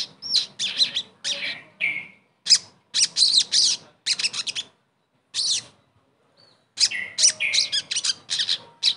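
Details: Sogon, the crimson sunbird, in a lure song aimed at getting a silent bird singing again: clusters of high, shrill chirps and short trills, with a long pause before a final rapid burst.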